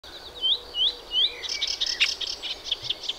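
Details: Melodious warbler singing: three clear slurred upward whistles, then a fast jumble of bright chattering notes, high-pitched throughout, with a faint quiet background.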